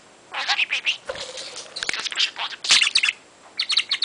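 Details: A pet parrot, 22 months old, chattering while playing, as it does every day: a rapid run of bright, scratchy, speech-like syllables and chirps in quick bursts with short pauses, plus a few soft clicks.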